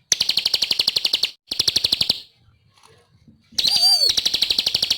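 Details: Bar-winged prinia, called ciblek, in full vigorous song for bird training. It gives fast bursts of high, rasping pulsed notes, pauses briefly in near-silence, then resumes after a quick sliding whistle.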